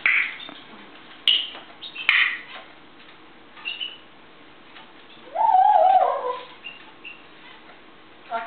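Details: Pet African grey parrot in a good mood, full of morning energy on a kitchen table: a few short bright squeaks, then a loud warbling whistle about a second long that wavers and slides down, with quiet pauses between.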